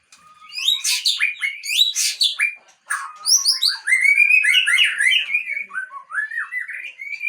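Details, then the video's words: White-rumped shama, a fighter-type bird, singing a varied song of whistled and chattering phrases that slide between rising and falling notes, with harsh buzzy bursts early on, delivered rapidly with brief pauses. "Murai Aceh # Fighter super"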